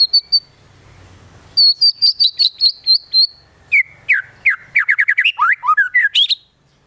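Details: A white-rumped shama sings a steady string of about ten high, sharp notes, then shifts into lower, tumbling slurred whistles and quick chirps, its song laced with konin and kinoi imitations.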